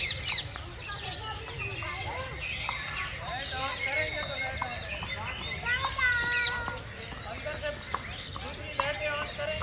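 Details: Macaws calling together: a dense, continuous chorus of overlapping harsh squawks and screeches, many rising and falling, with no pause across the clip.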